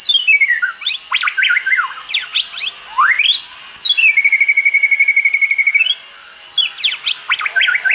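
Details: Wild-style song of a white-rumped shama, with sweeping whistled slides up and down, sharp ticking notes and a long rapid level trill held for about two seconds, in clear, loud phrases.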